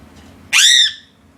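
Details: A single harsh, strident crow call that starts abruptly and fades after roughly half a second, with near silence around it.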